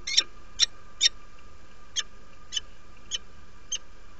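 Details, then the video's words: Female peregrine falcon arriving at her Derby, UK, nest site in February, calling to invite. Seven loud, rasping, clipped notes come first quickly, then spaced about every half second and fading, over a low hum. "Female arrived to the nest , invites"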